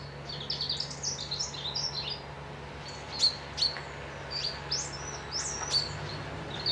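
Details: Birdsong at Piperdam by a loch near Dundee: a rapid run of high, bright whistled notes at the start, then single sharp chirps and rising whistles spaced about every half second to second, over a low hum.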